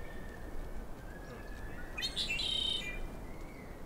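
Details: A male Red-winged Blackbird with visible red wing patches in a riparian area of Yosemite, Half Dome behind, sings once: a couple of sharp opening notes, then a harsh, buzzy trill under a second long, over low wind rumble.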